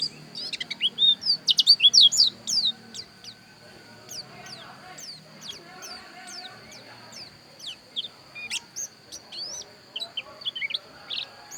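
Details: Javan white-eye, Bali dakun type, Pupuan: an opening burst of rapid, shrill sweeping chirps, then a quieter stretch, then renewed scattered high notes, with a steady faint whine throughout.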